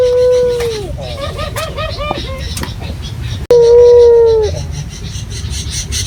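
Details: Local puter dove lure call: a long steady mellow coo falling away at its end, then a burst of short wavering notes, a brief break, and another long held coo.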